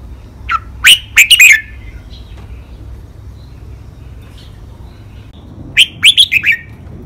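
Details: Caged red-whiskered bulbul singing a crisp five-syllable master song meant for training other birds: a fast run of ringing whistled notes, a long pause, then the same bubbly phrase repeated near the end, with faint low hum throughout.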